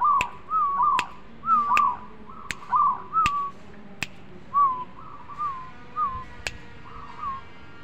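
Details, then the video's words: Zebra dove singing actively: a run of soft, bubbling coos in pairs and singles, growing fainter toward the end, with sharp clicks scattered among them. "perkutut gacor bekur bekur"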